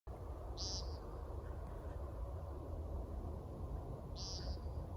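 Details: American woodcock, also called timberdoodle, calling at night in a backyard where it performs a flight display; two short buzzy nasal beeps about three and a half seconds apart over a steady low rumble.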